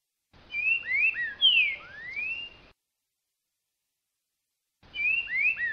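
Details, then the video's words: Green-winged saltator singing the boca mole song style in October, when birds warm up for the singing season: a phrase of clear whistled slurs, rising and falling, then a silent gap and the phrase starting again. "TRINCA FERRO BOCA MOLE"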